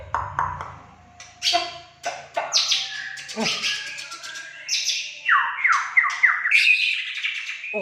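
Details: Caged white-rumped shama of the Aceh type, a bird named El Capitano, singing a varied mix of sharp chips, buzzy bursts and clear whistled notes, ending in a run of descending slurred whistles; a man comments that it sings fiercely.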